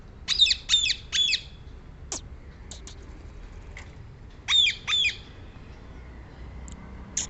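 Rose-ringed parakeet giving harsh, shrill squawks, three in quick succession, then a pause and two more, with a few faint clicks between.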